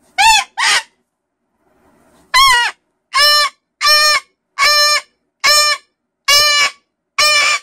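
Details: Loud screaming from a pet cockatoo in a wild indoor mood, its honking calls likened to a reversing truck: two quick screeches, a brief pause, then six evenly repeated harsh, nasal, harmonic screams about every 0.8 seconds.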